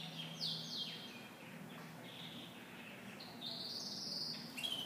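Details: Pet female canary flying over to her mate, giving soft high chirps and brief sliding tweets in loose clusters, with a constant low hum underneath.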